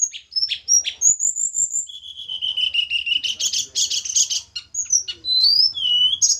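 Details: Tledekan gunung from Java during pairing, praised as melodious: chips and a sustained whistle, then a dense buzzy trill beneath bright swooping whistles, ending in lively rising and falling notes.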